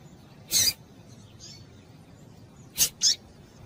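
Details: Female rusty-collared seedeater calling, used to stimulate males to sing: three short, sharp, high chips, one near the start and a close pair near the end, with a few faint softer notes between, over quiet background hiss.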